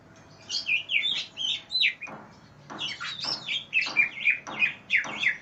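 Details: Greater green leafbird tutor song: rich tumbling whistles and slurred chirps at first, a short gap, then a string of sharp, evenly spaced high notes.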